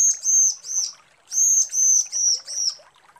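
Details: High, level whistled notes from a female bar-winged prinia calling the male, in a group of three and then a group of four, each slightly falling at the end.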